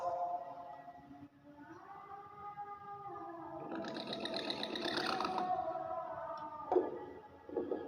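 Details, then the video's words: Hill myna mimicking human talk and coughing, indoors: steady voice-like tones at the start, then a long harsh broadband rasp lasting about two seconds, followed by a short click and a final rough note. "beo ngomong terus batuk terus"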